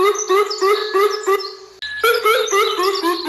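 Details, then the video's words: A Greater coucal gives a fast series of hollow, low, slightly rising notes, about three per second, with a brief break midway. "Greater coucal ka Sound"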